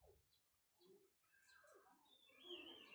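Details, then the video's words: Parrots vocalizing: a jumble of warbling, slurred notes and squeaky whistles, rising into a louder, sustained harsh chatter toward the end. "parrot birds talking"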